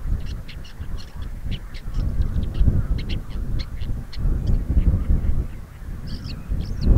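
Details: In Crimea, a woodchat shrike keeps up a steady stream of clipped, scratchy notes, with a couple of fuller slurred calls near the end, against gusty wind.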